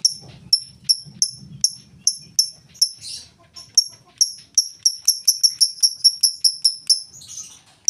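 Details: Ngetik lovebird song without chattering, used to lure other lovebirds into song: crisp, high ticks in a steady run that speeds into a dense, fast series, over a low rumbling background at the start.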